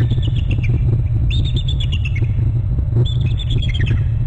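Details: Bald eagle at its Hornby Island nest territory calling loudly: two quick sequences of piercing, descending piping notes, backed by heavy low rumble and hum from the camera setup.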